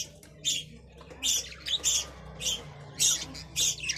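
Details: Budgerigar voice: short, high, rasping chirps separated by brief pauses, coming in uneven pairs and singles.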